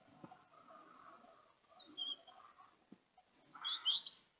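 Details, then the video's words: European robin song or subsong: faint, thin high notes, then a brief burst of bright, jumbled whistled notes near the end, with soft clicks and a low background murmur. "Kızılgerdanın ötüşü /Nar bülbülü ötüşü ve alt ötüşü | European Robin song and subsong"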